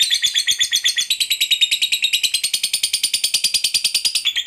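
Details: Lovebird of fighter type producing a long ngekek call that lures other lovebirds into chattering: a steady, rapid series of shrill, buzzy pulses, several per second, with no break.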